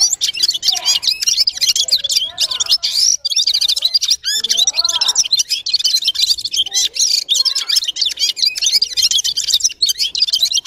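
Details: Red-fronted serin in sustained song, an unbroken rapid stream of high, tinkling, twittering notes and brief buzzy trills with hardly a pause.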